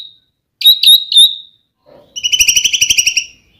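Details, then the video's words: White-rumped shama lure song meant to make another shama sing: three clear high whistled notes, a short pause, then a fast burst of buzzy repeated chirps. "murai batu gacor AMPUH buat PANCINGAN murai batu agar bunyi"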